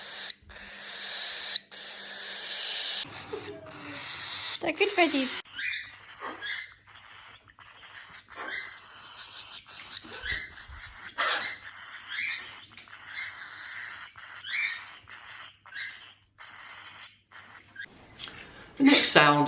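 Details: Young cockatiels give harsh, raspy baby begging calls in rapid repeated bursts, calling to their parents for food or attention; the call can sound angry but is not aggression.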